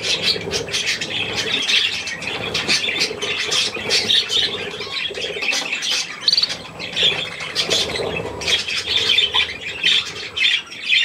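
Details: Young budgerigars and adults at millet on 3 May 2024, giving continuous rapid chirping and raspy squawks from several birds at once, with a few lower nasal notes and possible wing flutters.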